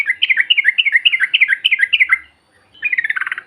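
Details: Lure call of yellow-vented bulbuls for provoking other birds: a rhythmic string of paired, bouncing whistled notes repeated about eight times, then a brief pause and a quick, rattling burst.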